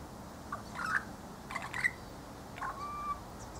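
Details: A honeyeater, possibly a Spiny-cheeked Honeyeater (identity uncertain), gives short liquid whistled notes with quick upward slurs, about one a second, then a longer level whistle; its call is likened to a clock's tick-tock. Quiet background.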